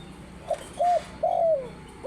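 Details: Spotted dove giving loud, clear cooing notes: a short coo, then two longer drawn-out coos, the last one sliding downward, with a fresh coo starting at the end. Faint background hum.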